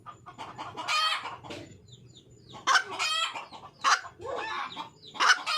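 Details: Wild red junglefowl hen calling for a mate: bursts of harsh, broadband clucking cackles in short bouts separated by brief pauses, with faint low background noise.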